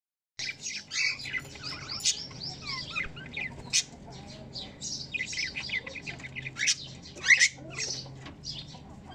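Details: Newly hatched cockatiel chicks (April 2023) fill the air with dense, scratchy chirps and squeaks, overlapping without pause.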